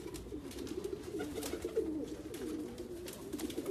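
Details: Soft, steady, warbling coos from Persian fancy pigeons, a low continuous rolling murmur with faint taps and clicks behind it.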